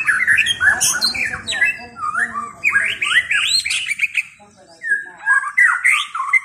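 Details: White-rumped shama with loud, varied whistles and upward-sweeping slurs in tumbling phrases, pausing briefly before a final flurry of bright notes.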